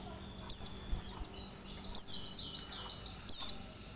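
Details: Oriental white-eye lure sound: three piercing, falling chip notes about one and a half seconds apart, with soft twittering and low hum behind them.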